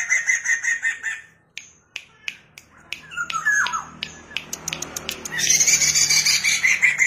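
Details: Black-throated laughingthrush training recording for young birds: loud, rapid, ringing notes open and close the passage, with a stretch of sharp clicking snaps between them.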